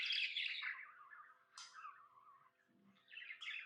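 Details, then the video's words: Indoor pet budgerigar, described as happy, giving descending scratchy warbled chatter, a sharp high squeak, then a falling buzzy phrase and a renewed burst of chirps, with a brief low rustle. "Happy budgie chirping sounds"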